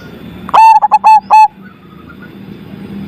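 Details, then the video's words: Loud-voiced zebra dove singing a single rapid phrase of five throaty, cooing notes, the last held slightly longer. A faint thin chirping trails after it over low background hum. "PERKUTUT AMPUH ATASI PERKUTUT MACET SUARA BESAR"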